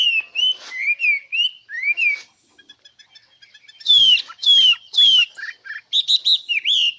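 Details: Songbird whistling varied slurred phrases, some rising and some falling, then a quiet pause of soft ticking notes before three loud descending whistles and a closing burst of high chirps.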